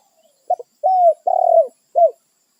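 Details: A territorial wild spotted dove calls its companions: a quick doubled note, then two long, smooth, low coos sliding downward, and a final short falling coo, with a quiet background.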